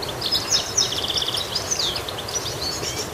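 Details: A goldfinch keeps up rapid, bright twittering, with sharp high notes and short trilled runs packed closely together over a background hiss.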